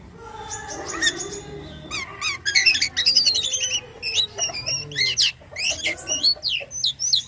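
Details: Black-winged starling (jalak kapas) singing actively (gacor): a mellow rising opening gives way to fast, loud, ringing whistled notes and sharp zigzag chirps repeated in quick bursts, dense and energetic to the end.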